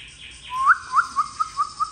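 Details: Oriental magpie-robin singing a long song, here a series of six short up-slurred whistles at a steady mid pitch, spaced about a fifth of a second apart, over a faint low hum.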